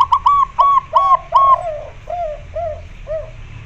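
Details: Zebra dove, a local white-barred female calling to a male to mate: soft, arched cooing notes repeated about twice a second, loud at first and then fading, over a faint low hum.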